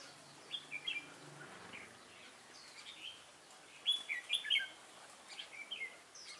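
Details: Wild-caught red-whiskered bulbul singing competitively on 22 October 2018, giving scattered chirps and then a louder burst of clear, whistled warbling notes partway through.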